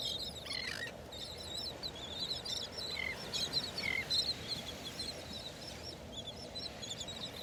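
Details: Terns calling over a Gulf beach at Delnor-Wiggins Pass State Park, North Naples, Florida, on a Friday morning walk, August 23, 2019: a busy chorus of short, sharp, high chattering notes, two lower downslurred cries midway, steady surf and wind hiss beneath.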